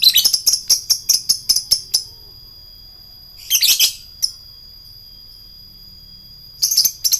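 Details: Lovebird in long ngekek song to provoke rivals: rapid string of sharp, high chirps, about five per second, then a harsh chattering burst and a later renewed run, with a thin steady tone between.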